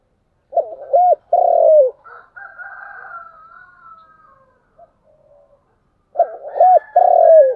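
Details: Spotted dove singing chiêu and thúc style: a low three-part coo phrase, a few seconds of faint higher murmuring, then the phrase repeated with the same stuttering start, long falling coo and clipped ending.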